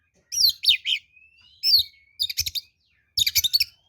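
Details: Oriental magpie-robin (kacer) fighting song used as a lure, with buzzy descending notes, a long thin level whistle, and rapid rattling bursts between gaps.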